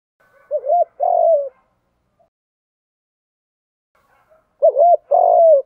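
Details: Spotted dove 'thúc gù' coo for stimulating other doves to coo: two brief phrases of a wavering double note and a longer coo, separated by about three seconds of silence.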